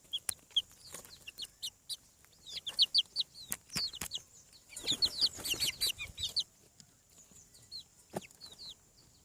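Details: Chicken chicks hatching on a farm peep rapidly in shrill falling whistles, building to a dense overlapping burst midway before thinning to a few calls, with sharp clicks scattered throughout.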